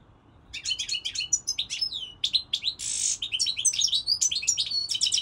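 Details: European goldfinch song in season: fast, lively twittering of mixed liquid chirps and trills, a brief harsh buzz near the middle, delivered in a continuous high-pitched stream.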